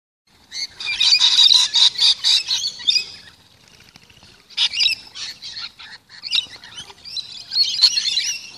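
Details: Lorikeets being fed in a yard screech and chatter in harsh, rasping bursts, several birds calling over one another in quick, uneven runs with brief pauses.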